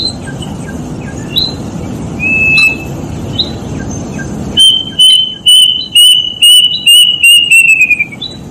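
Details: Plaintive cuckoo calling: after a few seconds of faint chirps from other birds, a loud run of about eight high whistled notes begins, each slightly lower than the last and coming faster toward the end.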